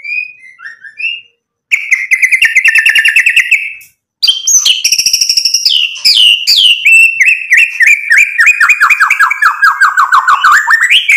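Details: Murai batu singing hard with mimicked fill-in phrases to provoke other birds: a soft opening, a buzzy rattling trill, a pause, then a long varied stream of chips and falling whistled notes.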